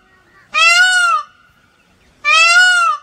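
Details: Two loud, drawn-out peacock cries about one and a half seconds apart, each a rich, nasal, arched wail lasting over half a second, with a faint steady hum between them.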